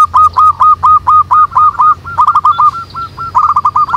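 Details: Local zebra doves singing together in the wild (manggung): a loud, continuous string of short hooked coos, evenly spaced at first, then quicker, overlapping runs as more birds join in.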